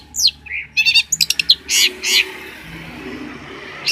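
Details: Long-tailed shrike, a Banyuwangi champion used for tutoring songbirds. A short jumble of mixed notes: a downslurred whistle, a buzzy burst, quick clicking chips and two harsh rasps.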